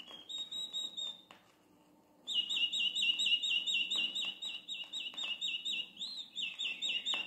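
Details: Campo Flicker giving an alarm: a long drawn-out whistled note, then a loud, shrill series of high, clipped notes, about two per second.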